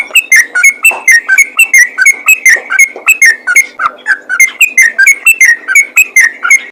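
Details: Yellow-vented Bulbul of the lively fighter type, used as a calling sound to get other bulbuls singing; loud, bubbly whistled phrases repeat rapidly, about three per second, with sharp high overtones and no other noise.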